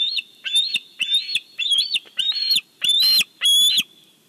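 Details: Bald eagle calling at the Big Bear nest while a fish is delivered, caught by a live nest camera; around eight loud, high chirping notes in quick series, the last ones harsher and louder.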